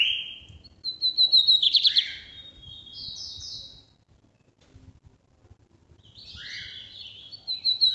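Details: Brazilian lined seedeater singing the northeast song type, meant for song tutoring: a clear whistle, rapid high chattering pulses, then buzzy descending notes, a quieter pause and a repeat of the buzzy and chattering phrases.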